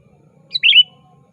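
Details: Lively sooty-headed bulbul summoning a rival, used to lure birds. A single short phrase: a high note followed by a rich, slurred warble falling away, in a quiet setting.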